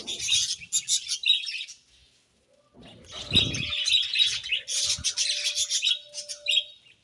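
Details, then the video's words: Budgerigars chirping at morning time, busy high warbling with short whistled notes, a quiet gap around two seconds, a low thump and faint flutter, and a thin steady tone in the background. "𝑩𝒖𝒅𝒈𝒊𝒆𝒔 𝑪𝒉𝒊𝒓𝒑𝒊𝒏𝒈 𝑺𝒐𝒖𝒏𝒅𝒔 𝑰𝒏 𝑻𝒉𝒆 𝑴𝒐𝒓𝒏𝒊𝒏𝒈"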